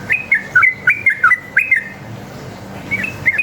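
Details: Sooty-headed bulbul singing a forest-style fighting song meant to make other bulbuls answer: bright, liquid whistled phrases of three to four quick notes dipping and rising, a pause, then a short final phrase.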